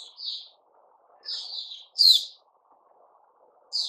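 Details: White-crowned shama (Puteh Raja) kept in a cage during its new-feather season, 6 September 2021, giving spaced whistled phrases, one ending in a bright, rising, buzzy flourish, with quiet gaps between.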